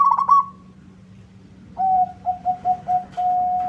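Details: Local perkutut (zebra dove) countering a rival: a short trembling trill, a gap, then a chain of level, lower coos closing with a long held note, over a faint background hum.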